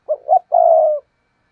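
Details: A spotted dove's 'thúc gù' coo, played to draw wild doves into cooing back, gives two brief mellow notes, then a long vibrating coo that sinks gently at its end. No other sounds.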